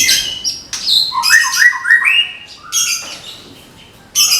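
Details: White-rumped shama from Medan, caged and readied for contest, singing 'tembakan' style: crisp high notes, then a quick series of rising whistled slurs, a pause, and a bright final burst.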